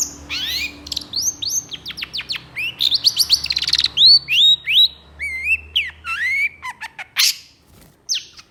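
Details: Long-tailed shrike mimicking other species: a varied sequence of sweeping whistles, quick upslurred chirps and wavering slurred notes, delivered fast with uneven spacing.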